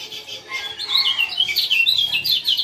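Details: Lemon-bellied white-eye male of the Lombok type, calling to encourage a quiet caged male to sing; busy high twittering chirps and short slurred notes run together continuously, bright and loud.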